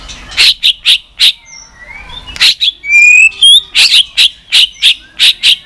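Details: White-rumped shama giving continuous tach calls to stimulate weak birds: harsh, clicking tach notes repeated roughly twice a second, broken by a few thin rising whistles.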